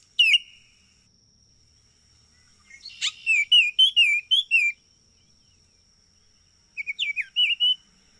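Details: Baltimore oriole giving rich, whistled, warbling phrases of several quick notes rising and falling, separated by silence, over a faint steady high tone.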